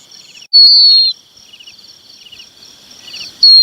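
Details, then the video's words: Red-wattled lapwing chick calling to its parents: two loud, drawn-out thin whistles that slide slightly downward, separated by about three seconds, with soft rapid ticking notes in the background. "Tiếng chim te te con gọi chim bố mẹ"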